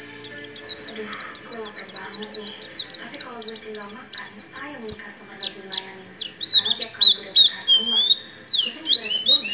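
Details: Energetic Oriental white-eye in nagen ngecrok style, mixing in white-rumped shama imitations: a fast run of high descending whistled notes, then a denser jumble of twittering slurs and upslurred phrases.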